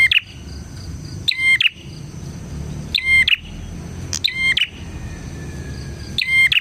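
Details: Lively bar-winged prinia, the recording used as a lure for prinias, repeating short, bright phrases of clipped ticks and a high squeak roughly every one to one and a half seconds against steady low hiss.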